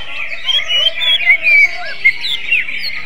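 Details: Greater green leafbird in magpie-robin (kacer) style, a string of quick whistled slides and accented notes, a few falling, with a constant chorus of other birds behind.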